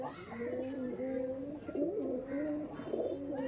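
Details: Loft pigeons of the Teddy Kamagar type offered for sale at a home reached from Sealdah towards Barasat; a continuous droning coo with wavering pitch, swelling and overlapping as several birds call together, light rustling behind.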